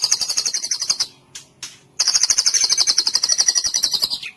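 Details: White-rumped shama song played as therapy to get silent, listless shamas singing: dense rapid high chattering trills repeated about four per second, broken by a brief pause with sharp clicks mid-way.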